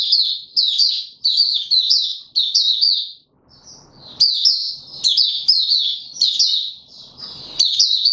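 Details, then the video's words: Caged male white-eye in training for form, recorded on 31 December 2021: bright, fast, sharply inflected high twitters strung into repeated bursts, with one longer pause filled by faint low shuffling. "Mata Puteh - Raja V2 Pushing him on form buka sing"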